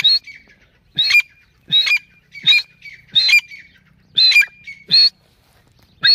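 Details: Calls of a female teetar (grey francolin): rasping, screechy bursts repeated roughly every three quarters of a second, some split into quick double notes, eight bursts over six seconds with near silence between them.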